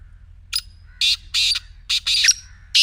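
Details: Black francolin voice played to make a quiet partridge call: a quick run of loud, rasping, buzzy notes, some doubled, about six notes in under three seconds.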